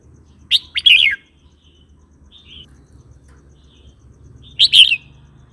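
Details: Red-whiskered bulbul singing, a recording for provoking rival or wild birds and teaching young birds: a quick run of three bright whistled notes, a soft note in between, then another loud burst near the end; faint low hum.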